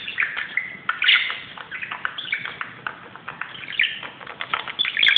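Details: An excited budgie playing on a closet indoors chatters nonstop: fast, scratchy warbled notes with squeaky chirps, a few brief pauses, and a louder burst at the very end.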